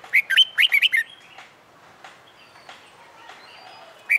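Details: Wild-caught red-whiskered bulbul in its first month of caging, trained to sing fighting song. A quick, lively phrase of five or six loud whistled notes opens the passage. A quiet stretch with faint tones follows, ending on one more note.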